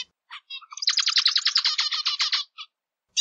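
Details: Zebra finch singing, a few scattered introductory notes followed by a fast run of about a dozen harsh, buzzy, broadband syllables repeated in quick succession, ending with a lone note; clean background.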